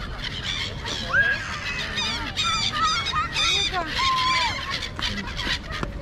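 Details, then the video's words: A noisy flock of birds flying around Marina Mall in Kuwait, many overlapping calls: short whistled notes sliding up and down, with harsh chattering bursts, over the murmur of people talking nearby. "Angry Birds at Marina Mall (Noisy Birds)"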